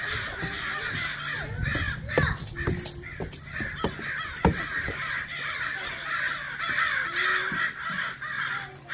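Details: A group of backyard crows mobs another crow, with loud, grating caws bursting out in irregular clusters against a constant outdoor hum.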